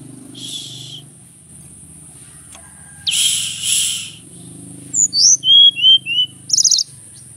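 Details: Male Javan whistling thrush from Mount Merapi: rushing noise bursts first, then a lively run of loud rich whistles, slurred downward phrases and a brief rapid trill, over steady high hiss.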